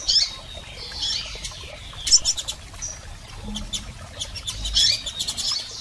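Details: Scattered high chirps and brief twitters from female and male double-collared seedeaters, played to stimulate a male, with loud intermittent clicks.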